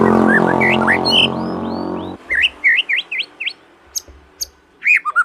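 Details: Young white-rumped shama song meant to stir other shamas into singing: varied sharp whistled notes, swoops and quick upslurs, the first two seconds partly masked by a loud droning, harmonic background sound, then clear chirps with silent gaps.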